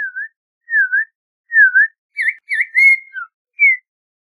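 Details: Audubon's oriole with three unhurried, dipping whistles. A quicker burst of upslurred, level and falling whistled notes follows, ending on a single clear note. There is no background noise.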